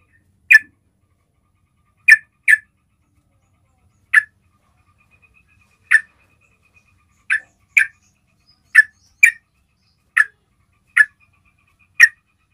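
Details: Yellow-vented bulbul giving its basic lure call: about a dozen abrupt, sharp chip notes at uneven intervals, sometimes doubled, with a faint thin steady tone in the background.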